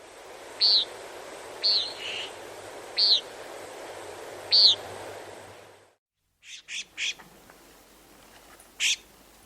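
A nighthawk gives short, nasal, buzzy peents, about one every second or two, over a steady background hiss; after a brief break a few more calls follow.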